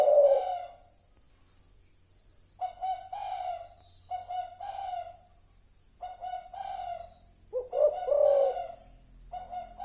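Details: Spotted dove cooing as a trapping lure; one loud coo opens, then a pause, then a run of softer paired coo notes and a louder rolling croo near the end, over faint background hiss.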